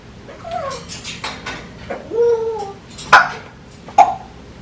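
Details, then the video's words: Seven-month-old male African grey parrot playing with toys on a shelf beside his cage indoors, chewing, shaking and dropping them, gives a run of whiny, sliding whistles and squeaks rising and falling, then two sharp clicks. Grey parrot. "African Grey Parrot Baby: Playtime Filled with Funny Sounds"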